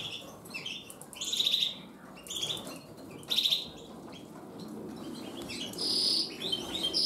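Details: Gloster canaries, a caged breeding pair in breeding preparations, produce quick high chirps, short rattling trills and a longer sweet warbled passage near the end, over a light hissing background.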